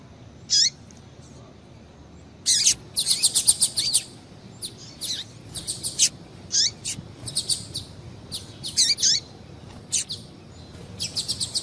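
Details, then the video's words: Calls of a female double-collared seedeater, used to make males sing: high, sharp chips given singly and in quick bursts of three to six, irregularly spaced across the recording over quiet background. "Piado de Fêmea de Coleiro para Esquentar Coleiro"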